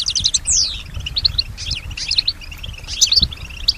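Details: European goldfinch, a female, singing in response to other sounds: a long descending whistled slur among quick tinkling chirps and twitters, with soft low background noise.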